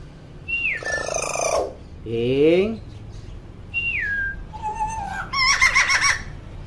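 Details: Talkative hill myna giving clear descending whistles, a loud rising nasal call and harsh buzzy bursts, with sounds spaced irregularly over several seconds.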